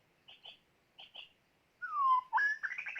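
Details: White-rumped shama used as a decoy when catching birds: two soft paired notes, then a long falling whistle and a burst of bright, rising, jumbled notes.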